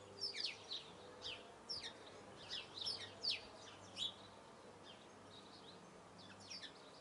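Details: Eurasian blue tit singing: high, thin, rapid notes in short scattered bursts, some sharp downward strokes, with gaps between phrases over a faint steady background hum.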